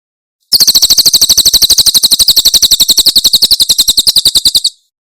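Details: Cililin-style tembakan of a Javan prinia, super clear training recording for caged birds: one continuous rapid trill of high, sharp, buzzing notes lasting about four seconds, framed by silence.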